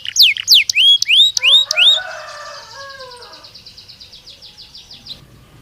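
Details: Belgian canary song used as a training stimulus to make canaries respond and sing: sweeping whistled notes rising and falling, then a softer lower warble, ending in a long fast trill of repeated chips.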